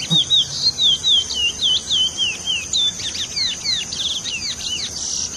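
Indigo Bunting singing a bright, high series of sharp down-slurred notes, about four per second, ending in a jumble of quicker phrases; a steady high insect hiss underneath.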